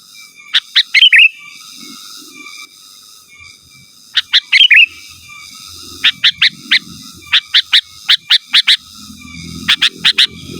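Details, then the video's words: Sooty-headed bulbul calling out to rivals with repeated sharp, clipped notes in quick sets of three or four and occasional bubbling warbles, over a soft low rumble. "Suara Burung KUTILANG GACOR Asli Tanpa ISIAN Ampun Untuk Suara Panggilan dan Masteran"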